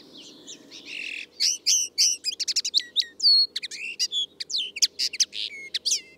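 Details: A common linnet sings a fast, varied twittering song of high, clear chirps, short trills and slurred whistled notes. The notes come in quick irregular bursts against a quiet background.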